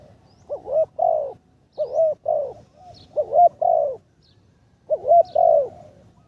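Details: Spotted dove used as a ground decoy, in its third training session. Three low, hollow cooing phrases, each a quick looping double note followed by a longer drawn-out coo, separated by short pauses.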